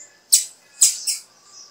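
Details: Female blue-black grassquit giving encouraging calls to get a male singing: three quick, loud, sharp high chips within about one second, the last slightly lower and buzzier, on a quiet background.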